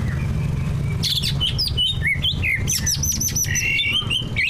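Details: Greater green leafbirds, caged competition birds, in full mimicry-laden song to make other leafbirds sing: dense, fast mix of looping whistles, chirps and buzzy squeaks, over a strong low hum.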